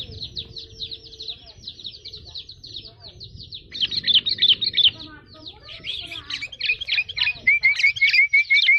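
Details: Sooty-headed bulbul calling: a dense run of rapid high chirps, then sharper clearer notes and a closing series of short, evenly repeated whistled notes.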